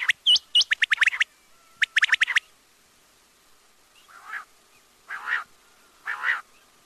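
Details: Rapid run of sharp, clicking quail notes, about a dozen in two quick bursts, followed by three rough, noisy calls spaced about a second apart.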